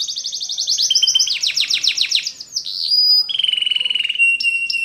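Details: Spanish Timbrado canary song for training: rapid metallic trills shifting into descending sweeps, then a dip and a long fast rattling trill at lower pitch with a few bright whistled accents.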